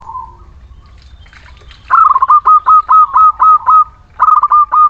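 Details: Local Muria zebra dove singing actively, a lure for reluctant birds: a soft drawn-out opening note, then a rapid run of about eight clipped, bouncy coos at mid pitch, repeated after a short pause; faint low rumble below.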